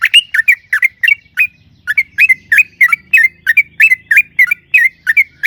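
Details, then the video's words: Sooty-headed bulbul singing hard in the long rolling style used to lure other bulbuls; clear whistled notes, about three per second, each dipping then rising, in an evenly spaced run on a quiet background. "trucukan gacor ROPEL PANJANG AMPUH pancingan TRUCUKAN AGAR BUNYI jadikan BURUNG TRUCUK GACOR EMOSI"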